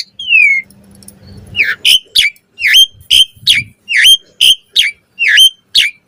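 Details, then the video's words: Asian pied starling chattering song for training birds: after a falling whistle, a sharp hooked note repeats about every half second, steady and loud, over faint low rumble. "Suara Jalak Suren Full Variasi Ocehan Buat Masteran & Pancingan Burung Jalak Agar Cepat Gacor Isian"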